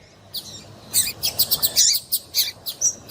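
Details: Female double-collared seedeater calls, used to excite males into singing for song contests; short sharp high chirps and twitters in scattered bursts after a quiet start.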